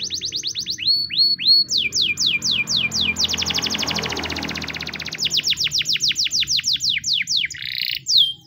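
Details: A white canary sings a training song: bright, high slurred notes in quick runs, breaking into a fast rattling trill, then returning to rolling downward whistles.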